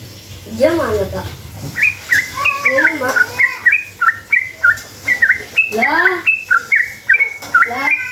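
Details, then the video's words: Sooty-headed bulbul singing its long ropel phrase to draw answers from other bulbuls: lively chirped notes repeated rapidly, overlapped by lower, rising harmonic calls from another voice at the start and around the sixth second. "Trucukan gacor ropel panjang buat PANCINGAN trucuk agar bunyi jadikan burung trucuk NYAUT EMOSI"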